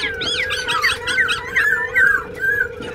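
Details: Black-throated laughingthrush, a wild-caught caged bird singing while dancing in Bình Chánh, Ho Chi Minh City. Quick run of bright looping whistled phrases, about two per second, over a constant low droning tone.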